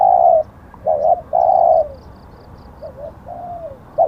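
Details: Spotted dove calling during decoy luring in Thailand, the caught bird showing auspicious plumage markings. A loud, long, level coo is followed by a broken double note and another sustained coo, then softer, fading coos. Faint high ticks sound in the background.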